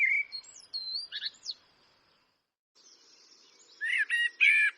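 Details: A Eurasian blackbird (Turdus merula) sings two phrases, mellow fluted notes then thin, squeaky high twitters, separated by a brief quiet pause, with no other sounds.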